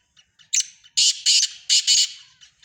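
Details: Calling black francolin of the Sindhi type: a sharp opening note followed by four loud, scratchy, buzzing bursts, closely spaced and harsh, with faint softer notes around them.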